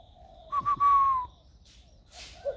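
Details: Single cooing phrase from a captive-raised spotted dove singing in the warm giọng thổ style, recorded 16 February 2020: two quick notes then a drawn-out falling tone, followed by a brief rustle.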